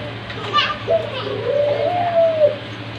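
A soft, drawn-out coo that swells and gently falls over about a second and a half, with children's voices chattering in the background.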